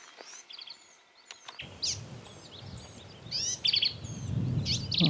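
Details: On a morning bird survey in scrubby terrain near Enchanted Rock, north of Fredericksburg, a Black-capped Vireo sings from a treetop in quick, high, jumbled chattery phrases, over a steady low rumble with a brief sound cut near the start.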